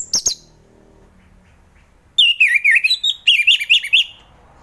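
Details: Orange-headed thrush in ngeplong style, a morning therapy song for thrushes unwilling to sing: two short high chips, silence, then a rapid run of loud warbling whistles that rise and fall, twice over.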